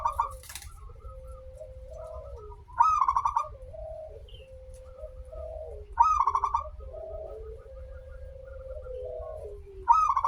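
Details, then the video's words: Local zebra dove song played as a lure to prompt singing: bursts of rapid rolling cooing pulses repeat about every three seconds, while a second steady, slightly wavering lower tone runs between them over a low hum. "perkutut lokal gacor suara awal panjang, pancingan perkutut agar bunyi"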